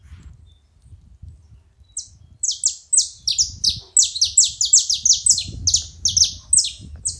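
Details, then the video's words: At a bait feeding site, a saffron finch starts after two seconds of low background rumble. It then gives a busy, fast run of high, bright, downward-sweeping chirps, closely packed and slightly irregular. "Canário da terra fazendo barulho na seva"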